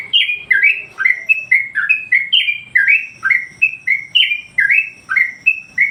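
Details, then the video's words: Master song of a Yellow-vented Bulbul, played to teach and excite other songbirds: a continuous chain of bright, bubbling whistles, each note sliding down or up, repeated briskly, with a faint higher whine in the background. "masteran burung Trucuk bikin emosi burung yang lain"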